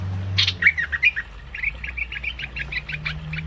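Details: Short, chirpy lure calls of the cream-vented bulbul, used for trapping. An opening flurry of sharper notes gives way to an even string of quick repeated chirps over a faint low hum.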